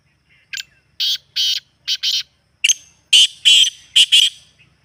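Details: Black francolin call used by keepers to set off a caged francolin: rasping, buzzy notes in two bursts, a clipped note then doubled harsh syllables, repeated twice with a short gap and no other sounds.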